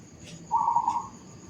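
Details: A zebra dove in a suburban housing area gives a single soft, even, mid-pitched coo lasting about half a second, over faint background hiss and a thin high whine.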